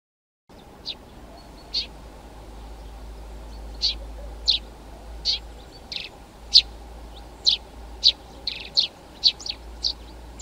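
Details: Eurasian tree sparrow, whose male and female look alike, giving short high chirps spaced irregularly, sparse at first then coming faster toward the end, over a low steady background hum.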